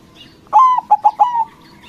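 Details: A white local perkutut, or zebra dove, singing loudly as a lure for rival doves: one clear phrase of a long coo, three short pulsed notes and a trailing coo, with faint chirping in the background.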